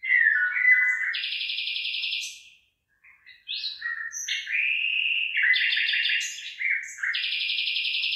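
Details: Bird song among rice fields where the rice is starting to head: varied high chirps, buzzy trills and whistled slurs in quick succession, with a brief pause midway, then more rapid, rattling phrases.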